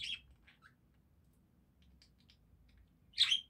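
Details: Budgerigars singing: a scratchy, high chirp, a few soft ticking notes, then a louder harsh squawky burst near the end.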